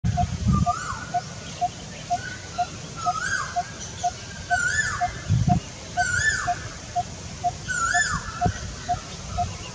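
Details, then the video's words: Coppersmith barbet, recorded 6 February 2022, gives a steady, metronomic series of hollow tuk notes, about two per second, under louder slurred calls from another bird and low wind thumps. "นกตีทอง Coppersmith Barbet"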